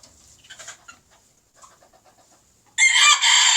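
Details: Faint scattered clucking notes over a steady high hiss, then a loud harsh crow bursts in near the end, sustained and cut off; red junglefowl, an older male crowing among young learners.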